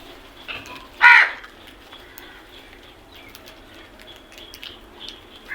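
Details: A crow in the morning gives one strong, harsh, hoarse caw, with faint chirps of other birds and quiet background noise.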